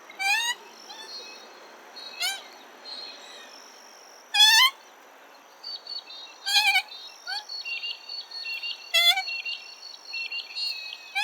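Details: Common moorhen giving abrupt, rasping harmonic calls at uneven intervals, about one every two seconds. Later, a busy patter of higher chirping notes sits under a constant high-pitched drone.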